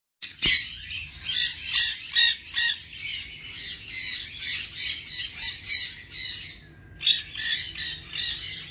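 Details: Young tame nanday conure at a pet bird shop in Dhaka, ringed, giving harsh, raspy squawks repeated in quick bursts, with a short pause near the end.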